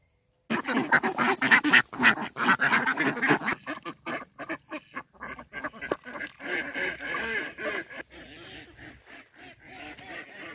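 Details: Indian Runner ducks on a backyard pond in the countryside: after a moment of quiet a loud run of rapid quacks begins, then softer, scattered quacking continues to the end.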